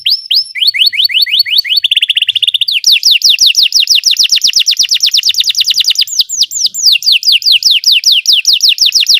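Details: Belgian canary song for training canaries to sing: rapid high trills of repeated down-slurred notes, switching to a steady buzzy roll, then faster sweeping trills and a slower series of clear, sharply falling notes.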